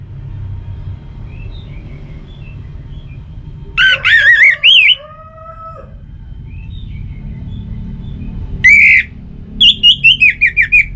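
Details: Orange-headed Thrush, a kept bird, singing as a lure to start other caged birds singing: a brief cluster of warbled notes and low sliding tones, a pause, then a sharp chirp and a fast series of six clipped descending phrases.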